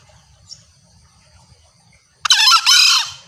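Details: Female green junglefowl lure call meant to summon males. After two seconds of quiet with faint ticks, a sudden loud, harsh, squealing call bursts in two close parts with wobbling harmonics.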